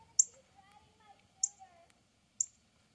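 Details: Male northern cardinal giving a mating call: three sharp, very high, metallic chip notes spaced about a second apart, each a brief downward-slurred tick, over a quiet background with faint low murmur.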